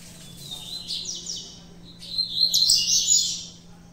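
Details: Saffron finch of a mutation color, nervous of the phone, giving high buzzy chirps that swell into a louder, denser run of twittering notes in the second half.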